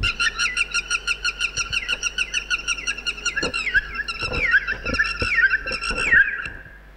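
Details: Red-wattled lapwing near Sangli, Maharashtra, India, giving loud, strident alarm notes, several per second, that grow more frantic and overlapping; such a fuss is made to distract dogs or people that come near its eggs or chicks. Soft background knocks.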